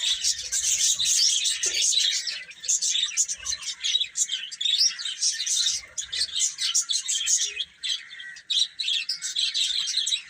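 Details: Many young chicks chirp while feeding and playing: a busy chorus of shrill, high peeps in quick bursts with brief lulls and soft pecking or rubbing noises in the background.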